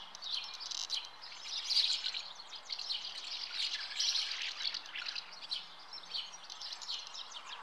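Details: At the nest, common house martins keep up a run of high twittering chirps, swelling and fading, with soft background noise.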